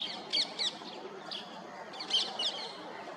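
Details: White-bellied drongo perched at Ghana Bird Sanctuary, Bharatpur National Park, Rajasthan, India, in February 2021, giving short, bright, high whistled notes in loose pairs, some slurred or twangy, against a soft hiss of background noise.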